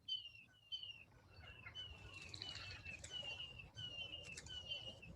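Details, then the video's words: Red-shouldered Hawks in the background at Bixby Marshland, Los Angeles area, in March 2021 give a rapid series of shrill, downslurred screams, about one or two a second and sometimes overlapping, over a low outdoor rumble. "the birds in the background are red shouldered hawks"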